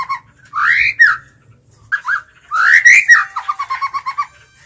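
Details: Caged decoy white-rumped shama singing to challenge wild males: swooping whistled notes, two short paired whistles, then a loud upward glide breaking into a rapid string of about eight clipped repeated notes.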